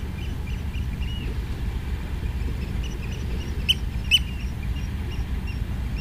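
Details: Oystercatcher on a beach by a lighthouse in the morning: two sharp, high piping notes in quick succession midway, over a steady low roar of surf or wind.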